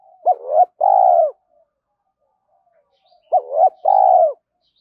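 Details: Spotted dove cooing as a training lure for young captive birds: two identical phrases three seconds apart, each a fast wavering double note and then a drawn-out low coo, otherwise quiet.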